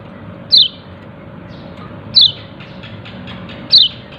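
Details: Three loud, high, downward-sliding chips from a yellow-breasted white-eye calling "ciak ciak", spaced roughly every one and a half seconds, with faint softer notes and a low background rumble.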